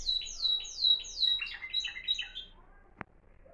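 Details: Moroccan Timbrado canary, a discontinuous-style (discontinu) singer, giving a florealdo song: three repeated high whistled downward sweeps, then a quick jumble of varied chirpy notes ending after two and a half seconds, followed by a single sharp click.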